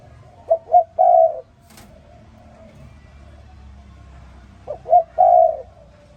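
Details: Spotted dove in the morning repeating its coo phrase twice, each two quick clipped notes leading into a longer rounded croo, with quiet pauses between.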